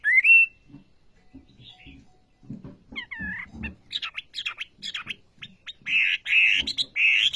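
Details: Olive-backed sunbird in full, lively song: a loud rising whistle, soft low knocks, then rapid high chirps and three bright buzzy trills near the end.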